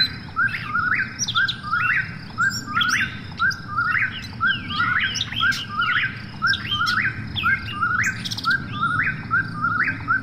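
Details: At night an Eastern whip-poor-will repeats its quick, upslurred whistled phrase roughly every second, with scattered thin high calls overhead and steady low background noise.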